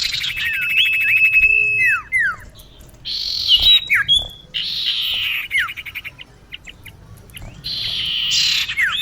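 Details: Female common iora calling a male, sound used for luring: a level whistle, falling slurred whistles, then repeated harsh buzzy rasps separated by short quiet gaps.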